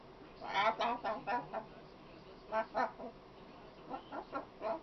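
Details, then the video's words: A chatty female macaw runs through quick clusters of short, speech-like syllables in three groups, some pulses rising and falling in pitch, with brief gaps between groups. "talking macaw"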